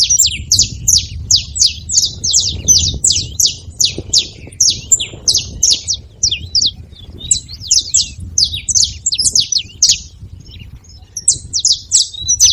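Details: Saffron finch (canário-da-terra) chirping steadily: long run of bright, high, falling notes delivered in quick succession, occasionally slowing, with faint low background noise.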